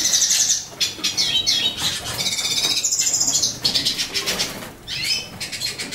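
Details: Captive lilac-breasted rollers, a breeding pair free in a living room with a bookcase nest box and two week-old chicks; high trilled chirps and buzzy warbling bursts, some falling and rising, repeated with brief pauses.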